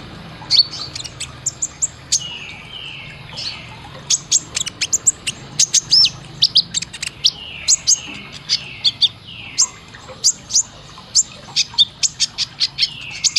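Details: Training recording of a sunbird (kolibri ninja) for caged birds: bursts of piercing high ticks mixed with repeated downslurred buzzy phrases, continuing steadily throughout.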